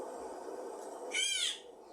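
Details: In pandanus and native forest in Micronesia, a critically endangered Mariana Crow gives one short, squeaky, slightly arched call lasting about half a second, over a steady low rumble of wind or surf.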